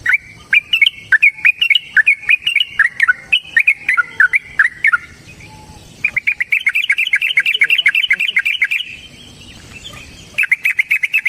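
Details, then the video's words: Yellow-vented bulbul (trucukan) in energetic 'ropel panjang' style, a lure to make other bulbuls sing: long runs of rapid, chattering, bubbly notes, a pause near six seconds, then a dense warbling burst and a final short phrase. "Trucukan GACOR ngalas ROPEL PANJANG suara alam AMPUH buat pancingan jadikan trucuk Gacor GARUDA"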